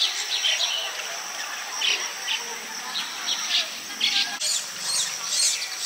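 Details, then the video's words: Nest-building baya weaver in rural Bengal calling to win a female: scattered bursts of high, scratchy chattering over a steady hiss, growing busier toward the end, with faint low chirps. "Weaver Bird builds Nest & attracting female"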